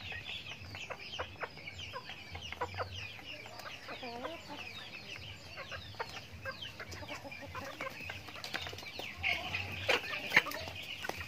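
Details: Backyard farm chickens feeding on their daily routine, a flock giving overlapping high chirps and short downward-sliding peeps with a few low clucks scattered through, steady murmur of the group underneath.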